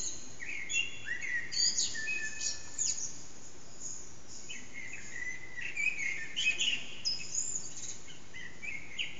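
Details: Dawn song of a Eurasian blackbird near 4:30am, heard from an echoing backyard where the bird stays out of sight, phone recording: rich whistled phrases ending in squeaky high flourishes, several phrases in quick succession with short gaps.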